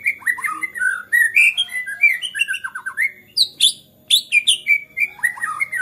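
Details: Agitated white-rumped shama song that stirs other shamas to sing: varied loud whistles, falling slurred notes and sharp high squeaky elements in fast, dense phrases with a brief pause near the end.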